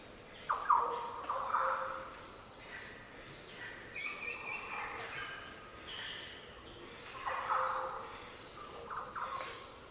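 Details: Green Orioles in the Daintree rainforest, Australia, giving deep, liquid, fluty song phrases. Two soft bursts of short falling notes near the start and again after seven seconds, over a constant high insect drone.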